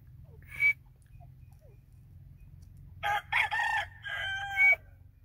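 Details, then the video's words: White francolin (teetar) giving a short faint note, then after a pause a run of four loud, harsh, harmonic notes in quick succession, the last ending in a thin rising whistle, with steady low hum underneath. "white francolin teetar sound"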